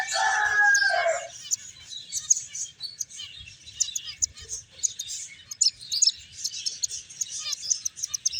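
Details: Finches playing and eating open with a loud, lower warbled phrase, followed by a steady wash of thin, high overlapping chirps and tweets.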